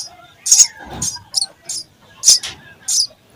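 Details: Nestling sparrows fed by a parent utter a few strong, shrill, scratchy chirps separated by brief silences, with a soft rustle.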